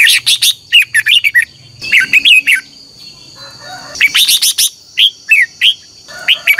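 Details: Contest-style morning song of a red-whiskered bulbul, played to train caged birds: rapid, lively sequences of chirps and bubbling slurred whistles, with a quieter lull in the middle and a low murmur in the background.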